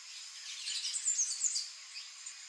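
A palm tanager gives a hurried jumble of high, squeaky, scratchy chirps, loudest in the middle second, over a steady background hiss.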